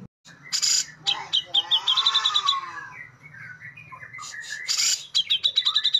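A White-throated bulbul gives harsh, scratchy chattering notes broken by sharp, rapid high trills, with a second burst of quick trilled phrases near the end.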